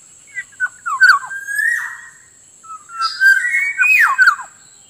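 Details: Black-naped Oriole lure sound: clusters of liquid, fluty whistled notes with sharp slurs, one long steady whistle, then a busier burst of warbled whistles. A constant high electronic tone sounds in the background.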